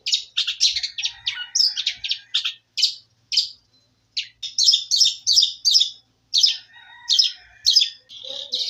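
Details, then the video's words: Canary singing a long, rapid, varied song: dense high chirps and trilled bursts in quick bouts, with brief pauses between phrases. "MATERI BURUNG KENARI"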